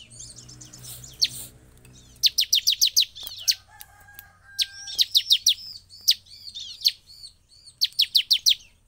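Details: Ciblek, or bar-winged prinia, in energetic song that rouses rival birds. It begins with buzzy chatter, then gives short runs of piercing, descending notes in quick series, separated by brief pauses. A faint steady tone sounds in the middle.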